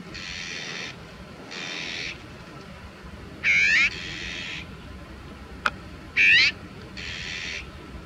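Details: Azure-winged magpie tangled in anti-bird netting and unable to move, giving harsh, rasping calls about a second long at irregular intervals, with two louder, sharper squealing calls in between and a single click; faint low background hum.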